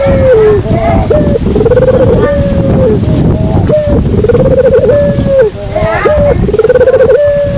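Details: Dove lure call: loud, low cooing notes, each a steady hooting tone that breaks into a fast rolling, pulsed trill, repeated about four times in a steady rhythm, with faint background chatter.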